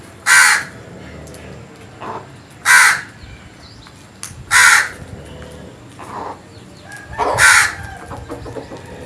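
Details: Crow cawing in the morning, a run of harsh calls roughly every two seconds, loud ones alternating with softer, shorter caws, possibly a second bird answering.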